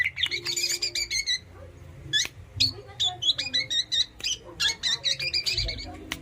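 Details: Long-tailed shrike kept as a pet, singing in dense bursts: clusters of rapid sharp chirps and short buzzy notes, then evenly spaced whistled phrases repeated about twice per second, over a low rumble.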